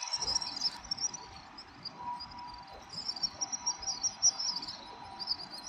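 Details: Dusk flock of house swifts circling over Surugadai in central Tokyo in mid-December 2023 before roosting; a near-continuous high buzzy trilling chorus rises and falls, set against steady low urban traffic rumble.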